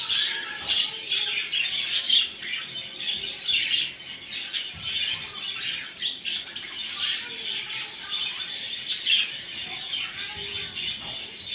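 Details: Budgerigars chattering, played to prompt a male budgie to mate: a dense, continuous stream of buzzy chirps, squeaks and short squawks overlapping throughout, with occasional sharp clicks.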